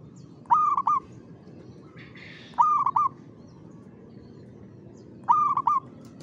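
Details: At 5 pm in the afternoon, a zebra dove repeats its rhythmic, lively cooing song three times, roughly every 2.5 seconds. Each phrase is a warm, quavering trill, with faint low noise and a brief rustle between them.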